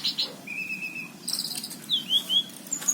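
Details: Caged orange-headed thrush from Cirebon, recorded in 2019 and singing vigorously: clear high whistles, a long level whistled note, then quick short rising and falling slurs, over a soft low hum.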